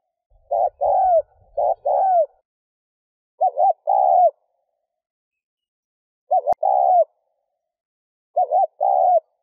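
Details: Spotted dove giving repeated short-long coo phrases to stir a decoy bird, spaced about two seconds apart, mellow and low, with one sharp click midway and soft rustles at the start.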